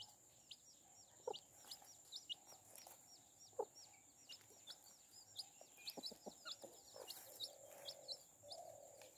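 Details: Chicks with their mother hen, which protects them, cheep in a dense stream of high falling notes, joined by a few low hen clucks and sharp pecking clicks.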